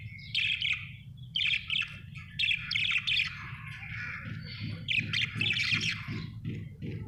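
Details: Cheerful budgerigar chirping: short bright chattery bursts about once a second, blending into a longer scratchy warble, while a soft low rhythmic thumping runs in the background.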